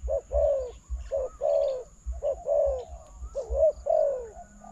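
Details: Spotted dove cooing to a decoy at a trap: four paired phrases, each a clipped note followed by a longer down-slurred husky coo, spaced about a second apart, with thumps in the low background.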